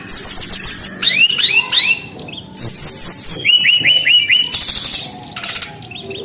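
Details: Fast-paced Brown-chested jungle flycatcher song: strings of rapid high upslurred notes, a series of evenly spaced repeated phrases around mid-clip, and harsh high bursts near the end.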